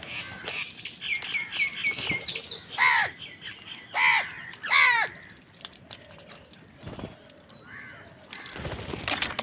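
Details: Many crows on a winter morning fighting wild birds for food: a run of rapid short notes, then three loud harsh caws about a second apart, later scattered calls and rustling noise.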